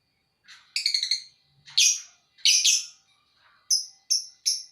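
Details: Lovebird giving harsh, buzzy chirps in short bursts, some broken into quick stuttering pulses, others single sharp notes, with brief pauses between; quiet background.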